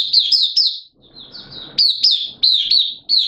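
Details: Caged oriental white-eye (mata puteh) kept as a hobby songbird, in an opening song session on 8 September 2022, form slightly down: high, rapid chirping trills with upward-flicking notes in bursts, brief pause, faint low background rumble.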